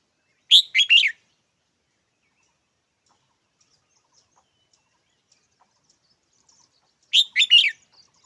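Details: Red-whiskered bulbul calling twice, about six seconds apart, each time a quick three-note warbled phrase, bright and liquid, with near silence between.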